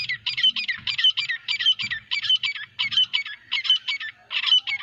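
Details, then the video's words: Francolins (teetar) from a group of nine calling together: high, scratchy double notes repeated in a steady chattering rhythm for about five seconds, with faint low thumps underneath. "9 Francolin Calling Sound | Non Stop Teetar Boli"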